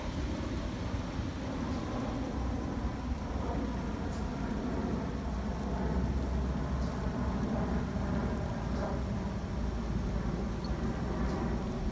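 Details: Steady low rumble like engine or wind noise with faint rain-like hiss and occasional ticks, and no animal calls.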